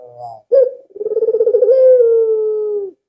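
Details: Albino Barbary dove, praised as very vocal and kept as a lure for other doves. It gives one clipped note, then a rapid pulsing roll merging into a drawn-out, slightly falling coo.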